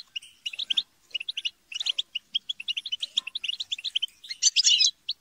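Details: European goldfinch group chatter with squabbling, played to prompt singing: short runs of rapid liquid chirps separated by tiny gaps, ending in a louder harsh, buzzy squabble burst.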